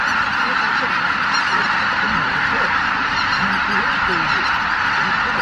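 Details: Greater white-fronted geese, more than 83,000, lifting off their Miyajimanuma roost at daybreak on 23 April 2017; a roaring chorus of honks, with some nearer individual calls rising and falling out of the din, Canon PowerShot SX710HS recording.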